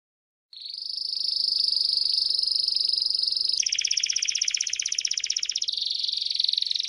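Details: Timbrado canary training song for young birds: after a short silence, a long, smooth, sustained high roll, then a coarser pulsed trill, then back to a finer rolling tone.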